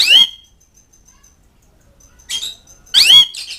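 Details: Asian pied starling calling to mates and rivals: three short harsh rasping calls with whistled tones, separated by long quiet gaps and faint soft notes.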